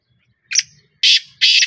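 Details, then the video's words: Black francolin giving a short burst of three harsh, buzzy rasping notes, the last two longer and louder, after a brief thin opening note; otherwise quiet. "kala teetar ki awaz |black teetar awaz |teetar ki awaz |francolin voice"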